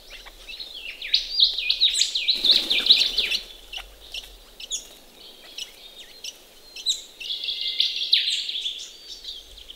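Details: Several ring-necked parrots bathing in a pond on a chilly Australian morning: dense bursts of shrill, squeaky chirps and rising whistled notes, a noisy splashing flurry near the middle, then another run of chattering calls.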